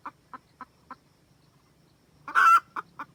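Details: Red junglefowl hen cackling to call the rooster, used for trapping: four spaced clucks, a pause, then one loud rasping squawk followed by two more clucks.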